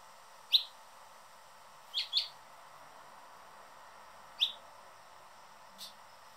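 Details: Male Anna's hummingbird on his favourite feeder perch, guarding it: a few short, high, squeaky chirps, one quick pair, spaced irregularly by pauses of one to two seconds, over a quiet steady hum.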